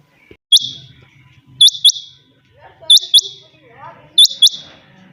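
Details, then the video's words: Early-morning call of a kept chinga batair quail: four crisp, high paired notes, each pair spaced roughly 1.3 seconds apart, over soft low murmuring in the background. "Suba ky waqat chinga batair ki awaz/morning sound of Quail bird"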